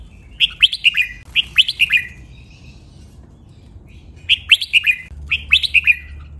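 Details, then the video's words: Doubled-style training song of a red-whiskered bulbul, counted at 23 and noted for sweet, sharp phrasing. Three rippling whistled phrases, a long quiet gap, then two more. "นกกรงหัวจุก | เสียงร้องเบิ้ล 23 นับดอก สำนวนเพราะ คมชัด (เสียงฝึกร้อง)"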